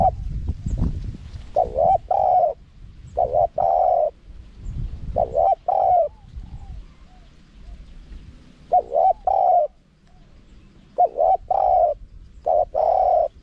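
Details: Spotted dove in a wild-style, small-voiced cooing sequence used to entice wild doves: repeated groups of two or three mellow coos, the last drawn out, with some low rustling at the start.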